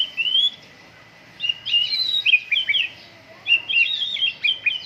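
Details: Morning dew airing of a caged white-rumped shama: a bright whistle, then longer runs of fast varied warbled notes, repeated after a short pause.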